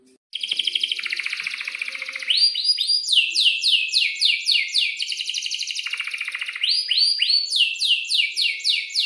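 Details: Canary in breeding condition singing a long rolling song used to train young canaries: sustained buzzy trill, then quick series of downslurred whistles, about four a second, alternating with trilled passages, high-pitched throughout.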